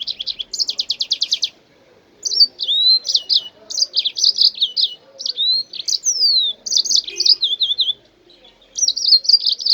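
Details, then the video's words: Song of a jasmine bird, used to stimulate other birds into singing, opening with a fast rattled series of sharp notes, then varied whistled slurs and twittering phrases with brief pauses between bursts. "تغريد طائر الياسمين او طائر الكوكريت لتحفيز الطيور"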